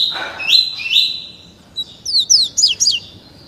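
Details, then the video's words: Caged double-collared seedeater only 30 days old, schooled in the tuí tuí Alcântara song style, delivers full high whistles followed by a rapid series of five or six steep descending sweeps. "COLEIRO FLASH ENCARTADO NO CANTO TUÍ TUÍ ALCÂNTARA COM APENAS 30 DIAS"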